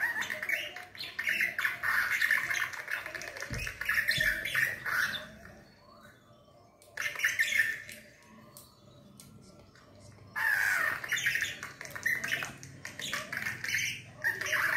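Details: A budgerigar, reacting to seeing a video of itself, chatters in busy bursts of scratchy warbles and squawks, pausing briefly between outbursts.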